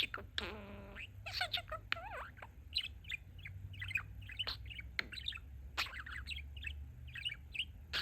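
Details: Pet male budgerigar that mimics its owners' phrases, warbling a fast run of chirps and clicks with a few rising and falling whistled notes, soft and continuous.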